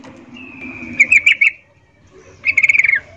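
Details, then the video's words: Yellow-vented bulbul female's birahi call to males, styled 'ngecuplik', used to provoke singing: a thin sustained tone breaking into a few sharp notes, then a tight burst of about eight quick chattering notes. "Trucuk BETINA memanggil Jantan Suara Birahi Ngecuplik"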